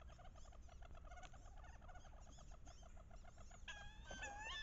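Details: Late-October mating ritual of paired wood ducks on a bayou, hens vocalizing loudly to entice drakes. Dense quick series of clipped nasal notes from several birds, ending with thin, rising whistled squeals over a low rumble.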